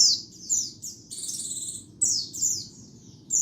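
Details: A white-eye's lure song with ambient noise removed: a run of high falling whistles, then a buzzy rattling trill about a second long, then more descending chirps, all over a low steady hum.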